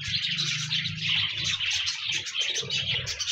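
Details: Short burst of pet parakeet chatter, bright overlapping chirps and warbles from several birds, played to encourage a lonely budgie to sing, with a low humming buzz running underneath.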